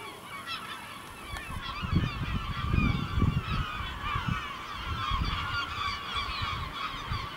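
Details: Village gulls over El Ortegal as night falls, a dense chorus of overlapping yelping and mewing cries, accompanied by low rumbling wind or traffic noise that swells midway.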